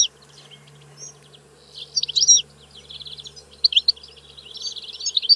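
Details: European goldfinch song: scattered high twittering notes, sparse at first, then a dense burst of tinkling chirps around the middle and more liquid twitters toward the end, over faint low hum.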